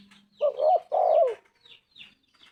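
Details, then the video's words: Single coo phrase from a tekukur, the spotted dove: a wavering double note then a long hoarse coo sliding downward, with a low hum and distant bird chirps. "Tekukur gacor suara emas"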